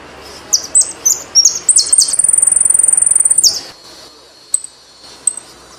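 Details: Argentine saffron finch song: several short, high, clipped notes lead into a long, rapid, even trill of very high pulses lasting over a second, ending with a downslurred note; two faint tweets follow.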